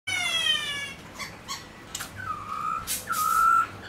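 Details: Black-throated laughingthrush, a kept songbird, in song meant to stimulate other pet birds to sing: a harmonic downslurred opening, then sharp clicks and two long, level whistled phrases near the end.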